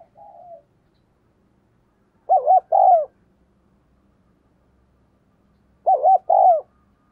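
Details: Spotted dove used as a decoy coos rapidly to attract wild doves: a faint opening coo, then two loud paired phrases about 3.5 seconds apart, each a wavering note followed by a longer falling one.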